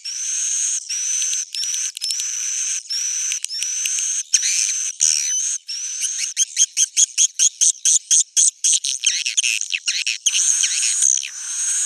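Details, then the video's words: Swiftlet calls in an old-style recording known as suara jadul: dense high chirps and twitters, steady at first, then a quick run of short, evenly spaced clipped pulses midway, returning to continuous shrill twittering. "swallow's original sound"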